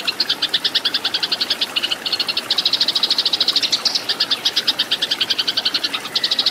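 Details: Eurasian tree sparrow fighting song for cage-bird tutoring: an almost unbroken stream of high, piercing chirps, several a second, with only tiny gaps between bursts.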